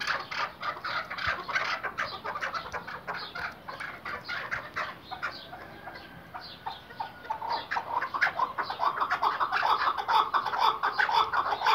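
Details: Iraqi white-collared hunting partridge, a kept chukar, giving rapid rough clucking chuk notes, about two per second, growing louder and denser toward the end.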